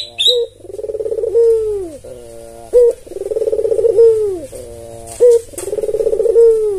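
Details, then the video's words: Barbary dove, a tame red-eyed albino kept to draw other doves into calling: a brief high chirp from another bird opens, then three rolling coos, each started by a sharp clipped note and ending in a downward slur. "Burung puter putih suara khas"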